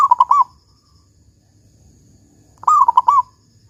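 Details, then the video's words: Local zebra dove (perkutut) singing in the big 'kung' style, used as a lure to prompt other doves to sing: two quick bubbling phrases of four to five rolling coos, about two seconds apart, otherwise quiet. "Perkutut Lokal GACOR Suara Kung Besar"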